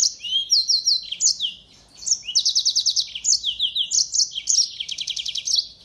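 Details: Yellow-fronted canary, known locally as mozambik, singing actively as a tutor bird for white-eyes: high, rapid twittering phrases of repeated chirps and quick trills in bursts, with a short pause midway and clean quiet background.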